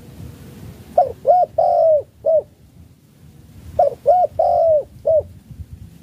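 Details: Spotted dove from Malaysia cooing chiêu gù style: two matching phrases, each two short coos, a long sliding coo and a short end note, over a steady low background rumble.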